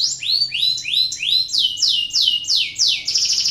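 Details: Canary in breeding condition, singing to prompt other canaries to join in: a rapid roll of high, downward-sweeping whistled notes, about three per second, ending in a dense buzzy trill.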